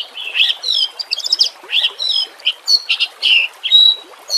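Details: Shrill, high, partly buzzy song of a white-rumped shama over a soft wash of water and nature background, used for training shamas: dense chattering bursts and a thin piercing whistle.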